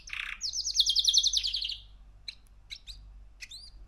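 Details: Male canary aged three months opens with a rough buzz, then a bright rapid trill, followed by scattered short chirps and an upward-curving whistle.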